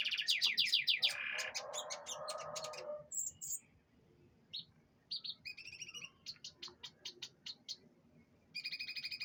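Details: Canary song recorded during a dewing session. Fast trilled notes and a buzzy burst open the recording, followed by scattered sharp chips and short high phrases separated by pauses, ending in a quick trill.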